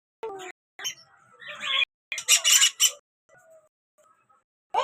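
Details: Pet birds kept in a home aviary chirping: short bursts of sharp, high chirps and squawks separated by brief pauses, with one dense, noisy run of chirping in the middle and a final chirp at the end.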